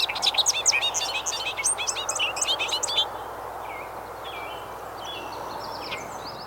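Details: Bobolink singing in agricultural meadow of the countryside where it nests on the ground, a rapid complex bubbling jumble of tinkling, jerky notes for three seconds, then softer distant whistles over steady low field noise.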